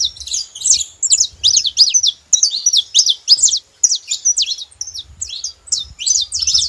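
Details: Free-living saffron finches in the wild give bursts of bright, high chirps in tight clusters, each burst of rapid slurred notes separated by brief gaps, over a quiet low background rumble.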